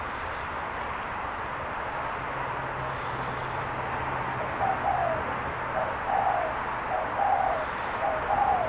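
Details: Spotted dove (Spilopelia chinensis), call.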